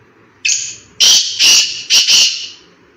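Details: Black francolin calling in a forest: a thin drawn note, then four loud, harsh, grating bursts in quick succession, the last two run closely together, over a quiet background.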